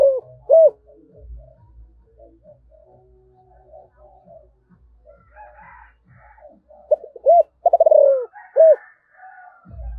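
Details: Spotted dove calling in the 'giọng thổ' style. Two low, rounded coos open the clip, then a long quiet gap, then a fuller phrase of clipped notes, a fast rolling pulse and a final hollow coo.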